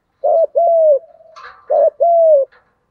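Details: Spotted dove, male and female, 'thúc gù' cooing to train decoy birds: two phrases of a short burred note plus a longer falling coo, with a soft murmuring rattle between them.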